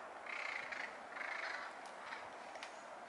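Mallard courtship calls: two drawn-out, nasal, mid-pitched calls about half a second each, close together, over a steady rushing background hiss.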